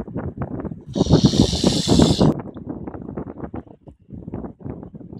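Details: A swan living in a city hisses once, harshly and breathily, for about a second and a half, like escaping steam, over steady low rumbling and knocking noise.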